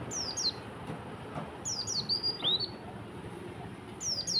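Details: Oriental white-eye in the morning, singing konin phrases: quick pairs and runs of piercing, falling whistles, the longest run ending in a rising-then-falling note, with faint low background noise.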